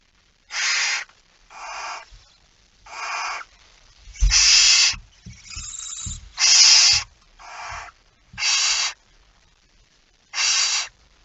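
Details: Barn owl at the nest at 05:28 on 19 September 2019, around feeding: about nine harsh, broadband hissing screeches, each roughly half a second, at uneven intervals, with soft low thumps and rustling between them.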